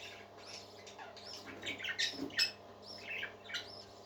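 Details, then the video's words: Parakeets singing happily, a group of birds giving a busy mix of bright chirps, buzzy notes and brief squawks, overlapping and irregular, with a faint steady hum below. "Happy Parakeets Singing"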